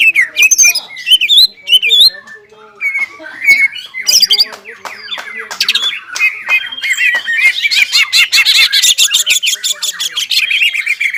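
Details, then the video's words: Excited caged greater green leafbird singing hard, urged on by arousal: varied whistled phrases and harsh squawky notes give way to a dense, rapid chattering stream in the second half. "CUCAK IJO GACOR INI NGOBRA DAN JAMTROK SUARA GACORNYA BIKIN CUCAK IJO MANA PUN EMOSI"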